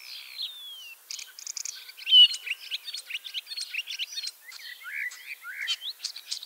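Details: Returning ringed common starling at Liepāja, Latvia, arrived 25 March 2023; opens with a falling whistle, then a quick series of clicks, squeaks and chirrups, ending with several short rising, upslurred notes.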